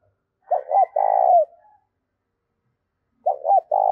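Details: Spotted dove cooing, played to stimulate a decoy bird into cooing: two phrases, each with two or three quick clipped notes, then a long mellow burring coo that drops at the end. Near silence between phrases.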